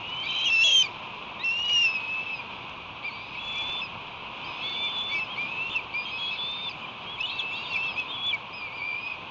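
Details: Ospreys at a nest on July 1, 2021: chicks about two months old fighting over a large headless striped bass just delivered. High whistled chirps, several sliding or falling in pitch, come in uneven bursts over a steady background hiss.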